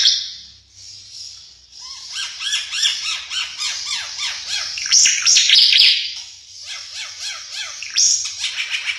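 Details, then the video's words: Ara Mata Merah, an East Nusa Tenggara endemic bird noted for a distinctive, richly varied song, delivering a dense, busy chatter of rapid downslurred notes mixed with high shrill squeaks and twittering phrases. "Suara Burung Ara Mata Merah"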